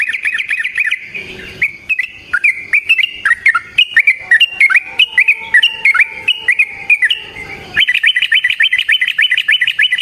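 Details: Yellow-vented bulbul fighting song used as a lure and training master: rapid chattering run of short sharp whistled notes near the same pitch, repeated several times a second, with a brief break and a faint lower humming tone midway.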